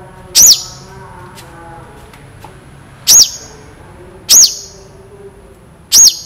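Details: Long-tailed shrike in full song, part of a training recording featuring long, sharp, clear 'shots': loud, piercing, arched notes struck singly at uneven gaps of one to two seconds against a quiet background.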